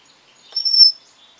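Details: Pet African grey parrot recorded on 24 July 2021, giving a single clear, high whistle that holds a steady pitch for about half a second in an otherwise quiet room.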